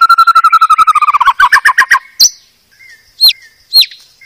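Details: Master recording of a White-rumped shama from Medan for cage-bird training: a fast rattling trill of about twenty notes that slows and drops, then a few sharp high whip-like notes separated by short pauses.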